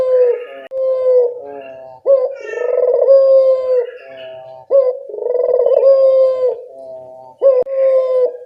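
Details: Local Barbary dove call for luring birds into replying: a sequence of repeated coo phrases, each a quick upward flick then a long even tone, with quieter rolling notes between.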